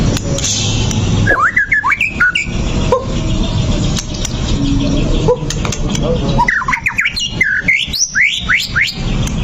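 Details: White-rumped shama song played as a lure to anger a fighting bird into showing its repertoire: two bursts of rapid, rising, whistled phrases that sweep upward, separated by a quieter gap, all over constant low background rumble.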